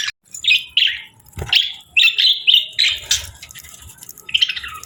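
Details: Budgies give short clear chirps in quick bursts, some rising and buzzy, with a sharp click between and quieter chatter behind.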